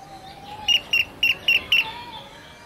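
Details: Rainbow bee-eater from Australia, a bird that burrows into sandy hillsides to nest; five short, bright chirps repeated roughly every quarter second, each with a slight rasp, over a faint steady low hum.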